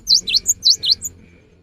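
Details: Short burst from a cinereous tit singing as a lure in the rainy season: two quick phrases of a high swooping dip-shaped note followed by a thin higher chip, clear and loud.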